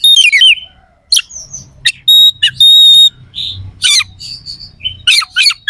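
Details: Oriental magpie-robin singing sharp, rough fill, used to make rival birds agitated: descending trills, pure sustained whistles held for about half a second, harsh buzzy bursts and quick chattering runs, faint low hum beneath.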